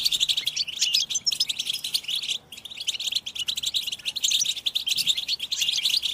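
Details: Several European goldfinches twittering together (betbeta), mating calls played to excite caged males into singing. Bright, fast, overlapping high chirps and buzzy notes, with a brief gap near the middle.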